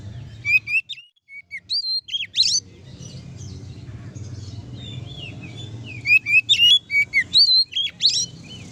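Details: Oriental magpie-robin singing in the ngeplong style, meant to provoke other magpie-robins into agitated singing: two bursts of sharp, rising and falling whistled notes with buzzy trills, separated by a quiet gap with low background hum.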